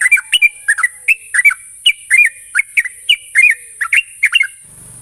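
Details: Sooty-headed bulbul, played as a lure so a young bird learns to sing in rapid bursts. Liquid whistled notes rise and fall in quick pairs, about two phrases each second. A constant high-pitched hiss runs underneath.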